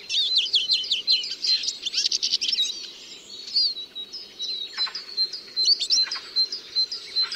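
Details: Eurasian siskin song: a fast jumble of high twittering notes, chirps and thin sliding whistles, with bursts of rapid trills, sung steadily over a faint low hum.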